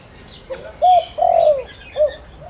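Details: Spotted dove lure bird calling to attract wild doves; one phrase of soft lead-in note, a rising hoot, a long falling coo and a final short note, with faint twittering of small birds in the background.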